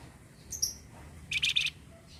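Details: Flamboyan bird song used as a lure to stimulate caged flamboyan birds to sing: two thin, very high chirps followed by a short burst of rapid, buzzy, rattling notes, over faint low background hum.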